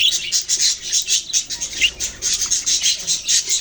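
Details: Australian parrots, budgerigars, chirping in quick pulsing bursts, roughly several per second, harsh and scratchy chatter throughout.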